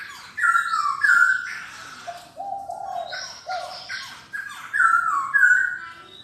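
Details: Black-throated laughingthrush singing loud, descending whistled phrases three times, each followed by lower, mellow warbled notes, with short silent gaps between the phrases.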